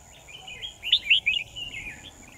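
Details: Decoy red-whiskered bulbul at a trap, 10 December 2018, delivers one rich, warbling phrase of rolling whistled notes that swell in the middle and fade, over a quiet hiss.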